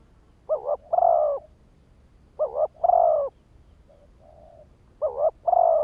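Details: Spotted dove calling as a lure to trigger wild males: three phrases of a rapid double coo then a drawn coo, with a soft low coo between the second and third.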